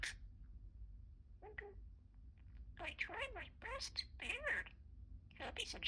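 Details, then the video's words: Pet budgerigar, a talking parakeet, indoors in the morning: a few short chirps, then a run of fast, scratchy, high-pitched speech-like phrases with rising and falling syllables. "Talking Parakeet"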